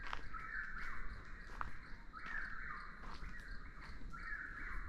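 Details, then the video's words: Chuck-will's-widow calls continuously amid heavy low rumbling noise; whistled phrases come about once a second, somewhat muffled, with a steady high hum running through. "Sounds of Nature, Chuck-will's-widow | Commonly mis-identified as a Whip-poor-will | Bird Calls"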